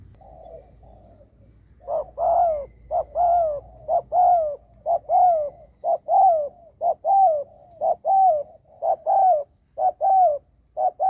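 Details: Cooing of a decoy spotted dove used to lure others. After two quiet seconds come about ten paired coos at an even pace near one per second, each a brief note followed by a drawn-out falling one.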